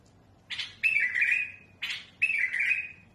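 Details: Two phrases from a tamed bulbul used for tutoring chicks, each a harsh rasping note followed by a bright, slightly wavering whistle.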